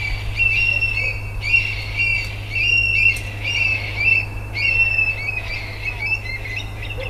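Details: Two Eurasian Stone-curlews in Portugal, active at night and dusk, call together in a noisy outburst of shrill, wailing whistles, repeated in bursts about every second, over a low steady hum.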